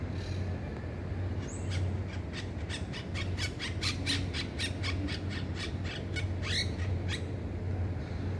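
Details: A non-native wild Red-breasted parakeet at Pasir Ris Town Park, Singapore, gives a rapid run of about a dozen harsh, squawking calls, several a second, over a steady low rumble of background noise.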